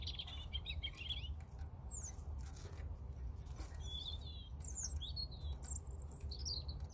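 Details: European robin singing: thin, high whistled phrases with quick trills and slurred notes, separated by short pauses, over a steady low rumble of background noise.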